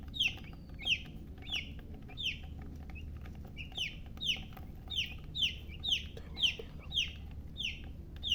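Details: Young chickens peeping continuously, each note a sharp high chirp falling in pitch, repeated rapidly and fairly evenly against faint low rumble.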